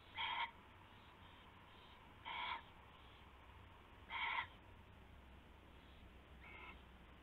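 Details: Nighttime owl calls from February 19, 2016, while a rabbit is regifted and then taken; three strong short raspy notes and a fainter fourth, spread unevenly, with steady background hum.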